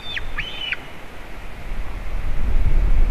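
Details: White-tailed eagle at a nest with eaglets, a juvenile visiting, Latvia, 27 June 2019, nest camera: two high, thin whistled calls that hold level then drop sharply at the end, then only low wind rumble.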